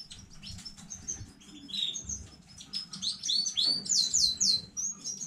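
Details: Domestic canary of new breeding singing on 15 May 2019: quiet, broken twittering at first, building to a louder series of rising-then-falling whistled notes near the end.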